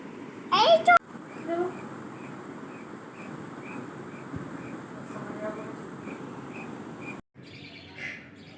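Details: A budgerigar gives a brief loud warbling burst, then soft chirps repeating about twice a second.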